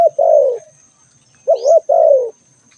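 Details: Spotted dove calling: a long, mellow coo sliding downward, a pause, then a wavering two-humped note run straight into another falling coo. A thin, steady high whine persists throughout, with one faint rising chirp.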